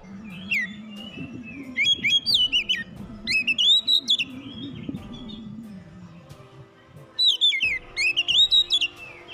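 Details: Oriental magpie-robin, a bird said to sing diligently at dawn, singing bursts of rich, varied whistles and sweeping notes in phrases about a second long, over low background music.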